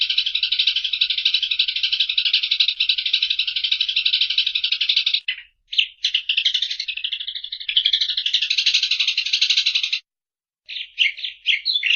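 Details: Long harsh rattle from a Eurasian tree sparrow, continuous for about five seconds, broken by sharp chirps, then another sustained rattle, a silence and final scattered chirps.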